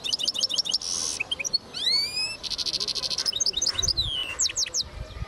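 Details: Hybrid linnet-goldfinch mule from 2010 singing a varied phrase: rapid chattering notes, a harsh buzzy rasp, a sweeping rising whistle, a second buzz, then fast twitters and a long descending slur.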